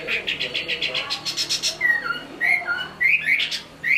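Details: Chinese hwamei, a caged songbird in Hai Phong, Vietnam, praised for its singing: a fast burst of chattering repeated notes, then separate clear slurred whistles rising and falling.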